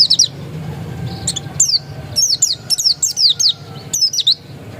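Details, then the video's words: High, thin descending whistles from an Oriental white-eye of the dakun type, said to be still original, come in short clustered phrases, starting sparse and speeding up, over a low rumbling hum. "Suara burung pleci dakun masih asli"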